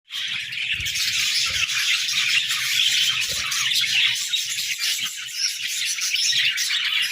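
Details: Pet budgerigars in their morning routine, chirping and flapping: a dense, continuous wall of high, scratchy warbling and chirps with a steady rattling texture throughout.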